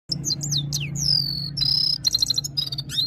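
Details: Himalayan red-fronted serin singing in goldfinch style, a Saira-type song: very high, rapid twittering with swooping whistled slurs and a short buzzy trill, over a steady low hum.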